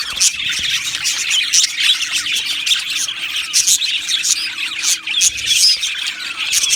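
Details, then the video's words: Budgie colony in an aviary, busy overlapping chirps mixed with harsher squawks and brief whistled notes, the chorus staying loud and unbroken throughout. "Beautiful Budgies Birds Singing and Chirping Sounds"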